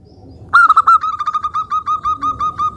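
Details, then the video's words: Local zebra dove singing vigorously, a song played as a lure to provoke other doves into answering: after a half-second pause, a steady run of about twenty quick, clipped mid-pitched coo notes with even spacing. "Perkutut Lokal Suara Gacor - Untuk Pancingan"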